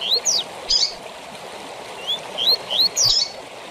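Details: Double-collared seedeater singing the tui tui zel zel style used to train captive seedeaters: high upslurred whistles, then a burst of buzzy, quickly sweeping notes, the pattern repeating twice over a steady background hiss.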